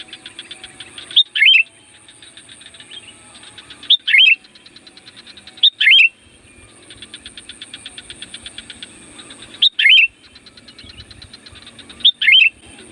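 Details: Sooty-headed bulbul (kutilang gunung) singing loudly, a song used to lure wild bulbuls. Short, loud whistled phrases repeat every two to three seconds over a steady, rapid buzzing pulse in the background.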